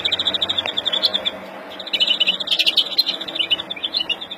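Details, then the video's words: Angry mutation European greenfinch in April 2016 sings a fast, rippling series of bright twittering notes with buzzy trills, pausing briefly midway before resuming. "Kızgın flurya kuşu üretim ötüşü"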